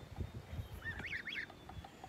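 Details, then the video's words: Kholmogory goose goslings on a farm, 27 May 2020: two or three thin whistled peeps rising and falling in quick arches, over low rumbling background noise. "Holmogory geese babies"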